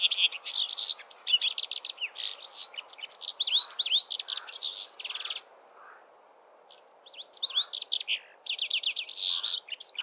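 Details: Early-spring treetop song of a male Brimstone Canary: busy melodious phrases of sweet whistles and rattling trills, a silent gap of about two seconds, then more rapid twittering; faint low calls sound in the background.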